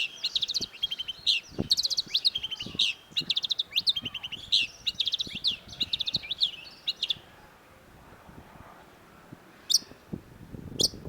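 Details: Long-tailed shrike (cendet) in a songbird tutor recording: rapid, busy chattering of varied high twittering notes for about seven seconds, then near-silence broken by two sharp clicks.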